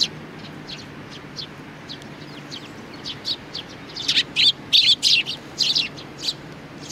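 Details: Sparrow with a chick, 3 July 2019. Faint spaced tweets build into a fast, insistent run of loud high chirps, several per second, over a quiet background.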